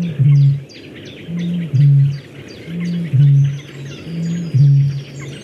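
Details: A male Great Bittern, the UK's loudest bird, booming in its wetland breeding habitat, likely in spring: deep, hollow, foghorn-like hoots, each led by a short gulp, about every 1.5 s, with faint small-bird twitters behind.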